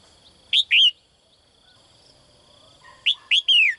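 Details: Morning calls of a caged female bird seeking a strong male, loud clear whistles in a pair then a trio, the final note drawn out and descending, soft chatter in the gaps.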